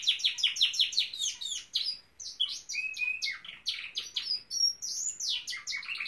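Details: Pet Norwich canary singing: fast repeated high chirps in a rolling trill, then lower buzzy notes and long rising and falling whistles.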